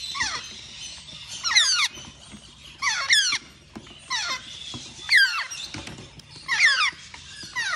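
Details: Baby African grey parrot repeating harsh, descending squealing bursts, six of them spaced about every second and a half, with a faint background murmur.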